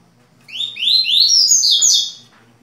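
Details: Indoor Double-collared seedeater in Rio de Janeiro, Brazil, delivering the parelha song style known as tui-tui: three or four rising whistled notes in quick succession, then a rich, high warbled trill fading after about two seconds.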